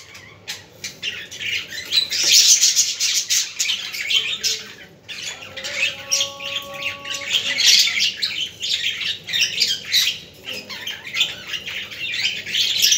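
Several budgerigars chatter and warble nonstop: dense, scratchy, high-pitched squawks and chirps, with a brief steady whistle partway through.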